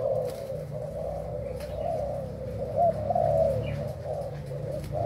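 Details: Thailand-type spotted dove in breeding condition, cooing in a blurred, continuous mid-pitched murmur with one clearer coo phrase near the middle, over a low droning hum.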